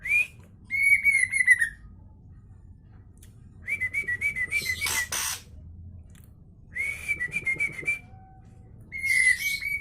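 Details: White-rumped shama singing in bursts: clear whistled phrases with rapid warbling and trilled notes, each burst lasting about one to two seconds and separated by pauses, with some harsh buzzy bits mixed in.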